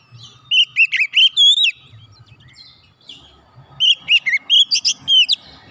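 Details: Singing oriental magpie-robin, played to coax a silent bird back into full song: two bursts of sharp, varied whistles and slurred notes separated by a quiet pause with faint low background noise.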